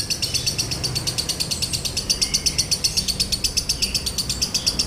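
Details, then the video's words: A lovebird delivers a dry-toned 'konslet' song for training and provoking other birds: a nonstop, high, raspy chatter of quick, regular pulses, roughly four each second, with faint low hum underneath. "MASTERAN LOVEBIRD KONSLET NADA KERING | PANCINGAN SUARA LOVEBIRD KONSLET"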